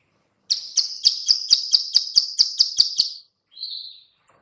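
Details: Bar-winged prinia, female, giving the clicking call used to lure birds: eleven sharp high clicks at a steady pace, then a short pause and one softer drawn-out buzzy note.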